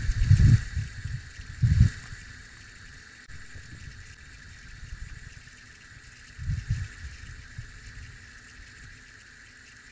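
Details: Outdoor recording of low, rumbling bursts of wind or engine noise over steady background hiss, with no animal calls.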